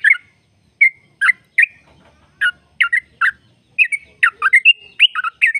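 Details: Sooty-headed bulbul (trucuk) in the 'ropel panjang' long-trill song style, used to prompt kept birds to sing: scattered bubbly, slurred notes, some falling, with short gaps and a quicker cluster of phrases near the end.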